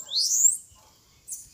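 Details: Bananaquit fighting a rival bird near Maceió: one loud, high, steeply rising sweep lasting half a second, a pause, then a short faint high note.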